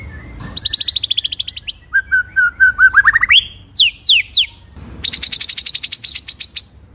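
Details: White-rumped shama song used as a master recording for training other birds: rapid trills of repeated high notes, a run of clear whistled notes rising into sweeping upslurs, then a long buzzy high trill.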